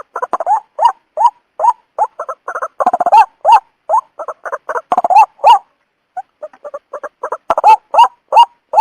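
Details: Calls of a white-breasted waterhen used as a trapping lure. Rapid clucking notes mix with louder upward-sliding honks, with a brief lull near the middle before the busy calling resumes.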